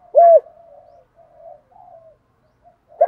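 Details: A single loud, clear coo from a spotted dove in challenge and calling mode, meant for decoy-bird training, followed by faint low murmuring notes and the start of another coo.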